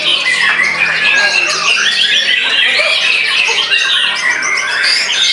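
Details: Caged white-rumped shama just after its moult, singing in a frenzy and outsinging a rival. Dense, unbroken stream of high whistles, quick trills and harsh chattering notes. Nothing else clearly heard.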